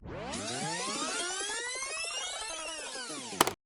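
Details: A rich, sweeping electronic tone, like a synthesizer music sting, plays throughout and ends with a sharp click; no animal is heard.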